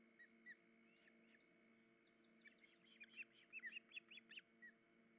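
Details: Nesting osprey, the injured female unable to hold fish for the chicks; a couple of isolated whistles, then a dense burst of overlapping sharp chirped whistles, ending with a single note, over a low background hum.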